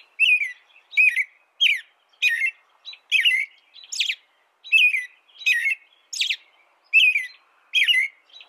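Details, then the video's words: An American robin sings a regular run of short liquid phrases, each whistled note falling in pitch and topped with a high thin squeak, evenly spaced. "canto de robin americano AMERICAN ROBIN"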